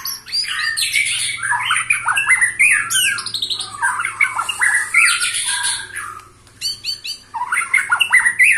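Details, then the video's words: White-rumped shama aged 21 years singing vigorously: fast jumbled bursts of harsh chatter and whistled slurs, a short pause near the sixth second, then more rapid phrases over a faint low hum. "Murai batu ini ternyata usianya 21 TAHUN Gaya main masih NGOTOT"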